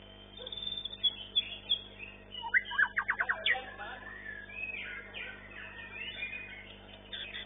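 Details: Long-tailed white-rumped shama in a bird-singing contest, the first-place winner of its class. A burst of sharp rapid chips runs into bright varied whistled phrases, with faint voices and other birds in the background.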